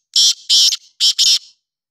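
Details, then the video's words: Four powerful rasping notes from a black francolin, the kala teetar or Sindhi teetar, in two tight pairs within about one and a half seconds, each note hoarse and buzzy with a short trailing tail. "kala teetar ki awaz black teetar ki awaz sindhi teetar ki aeaz"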